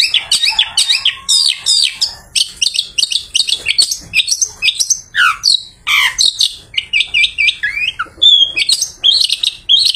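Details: Long-tailed shrike singing after a bath, song used as an afternoon lure for other shrikes; dense mix of high whistles, sliding chirps and scratchy buzzes delivered almost without pause.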